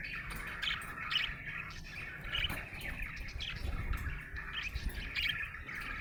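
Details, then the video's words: Happy budgerigar chirping in a steady twittering chatter, with short sharper accents scattered through and faint low background noise. "Happy budgie chirping sound"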